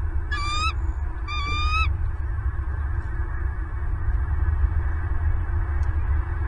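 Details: Bald eagle at a Southwest Florida nest, recorded on 8 December 2022 at 09:32. Two short bursts of high, thin, whistled chirping open the recording, followed by only a constant low rumble and hiss.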